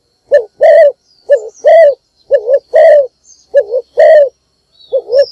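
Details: Decoy spotted dove giving its morning call to bring in other birds: a steady series of paired phrases, a short wavering coo followed by a longer rounded one, repeated about once a second, with faint high chirps behind.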